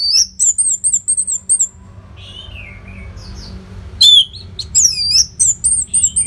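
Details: Orange-headed thrush singing as a training model for fighter birds, North Bali: high wavering whistles and rapid chips, a pause with soft descending notes, then more high looping whistles and chattering phrases; steady low hum throughout.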